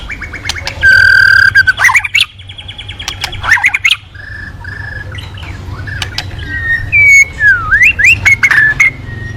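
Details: Lure song of a white-rumped shama meant to prompt other birds to sing: steady held whistles, harsh squawky notes and a later run of sliding, rising-and-falling whistles over a low background rumble.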